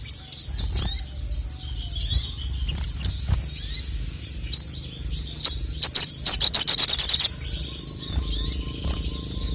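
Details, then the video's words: Male crested jay song, used as training audio to provoke rivals: high twittering notes and short slurred whistles, then a fast, dense metallic rattle lasting about a second, followed by a thin sustained whistle. "SOGON MANAPUN NGMAUK GACOR langsung emosi dengar masteran suara burung sogon jantan ini"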